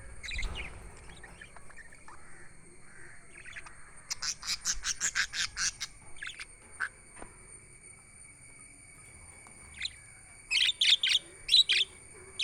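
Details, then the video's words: Several budgerigars chirping, with a rapid series of sharp, bright chirps around the middle and a second short cluster of loud twitters near the end, quiet between bursts. "Budgies chirping sound for lonely birds"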